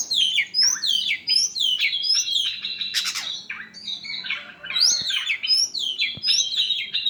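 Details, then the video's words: Oriental magpie-robin in full song after its sunbath: a fast, rich stream of piercing whistles, falling slurs and scratchy notes. A harsh burst breaks the flow midway, then the melodic phrases resume. "Ngetes burung kacer habis jemur"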